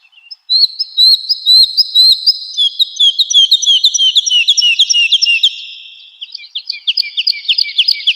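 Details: Woodlark song used as a training recording for cage and contest birds: high, fast repeated liquid notes in rolling series, some phrases slowly falling in pitch, delivered in a brisk, continuous stream with slight echo.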